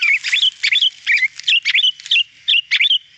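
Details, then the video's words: Sooty-headed bulbul in active, clear song used as a training recording: a fast series of bright, bubbly two-part whistled notes, roughly three each second. "masteran burung kutilang gacor suara jernih"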